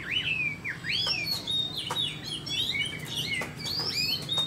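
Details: Fighting-type Chinese hwamei kept caged, spread tail, sending out ringing slurred whistles that swoop up and curl down, spaced in short bursts, with soft low hum beneath.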